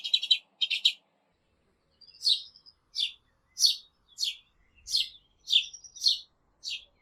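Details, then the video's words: A sparrow gives short, bright chirps, some doubled, in loose bursts about every half second to a second; nothing else is heard. "SPARROW SOUND - SPARROW SOUND EFFECT - SOUND OF SPARROW - NOISE OF SPARROW"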